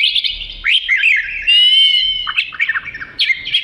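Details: Oriental magpie-robin (kacer) singing gacor-style for isian use: chattering chirps, a long pure drawn-out whistle, then more scratchy twittering and bright notes.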